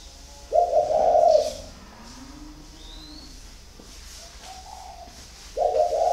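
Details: Spotted dove, 'thổ khách' style with a 'vấp' stumble, northern Vietnam: a loud low hoarse coo, a long pause with a faint high whistle and a soft quieter note, then another coo starting at the end.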